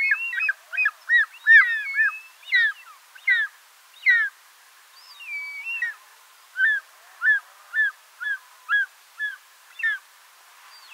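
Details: Short-toed snake eagle (Circaetus gallicus) giving a series of short, clear whistled notes that rise and fall, about twenty in all, with one longer drawn whistle partway through.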